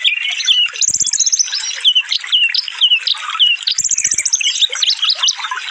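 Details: Fast, densely packed sunbird song used to train cage birds: bursts of very high rattling trills around the first and fourth seconds, separated by repeated sweeping whistled notes and busy twittering.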